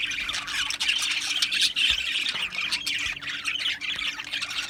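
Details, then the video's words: Australian budgie colony in an aviary, dense chattering of many birds with scratchy squawks and quick chirps blending into a constant high warble. "Beautiful Australian Budgie birds Chirping Sounds | Budgie birds sounds"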